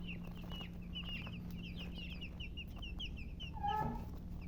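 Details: Hen with colour chickens: many quick, high chirps in loose series, then one louder, lower, harsher call near the end, all over a constant low hum.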